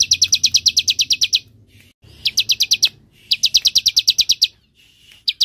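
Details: Bar-winged prinia 'semi' song, used as a lure and master recording for cage songbirds. Three bursts of rapid, high, sharply repeated chip notes, each about a second long, separated by brief pauses.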